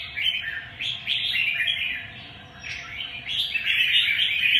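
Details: Short bright whistled and warbled notes of a red-whiskered bulbul, repeated in quick succession, growing fuller and more continuous toward the end, with soft background hum.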